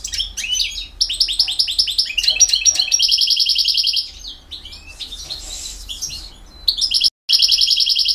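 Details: European goldfinch from BiH singing in campero style: rapid, liquid twittering and repeated trilled phrases, high and bright, with a brief quieter gap midway before dense trills resume.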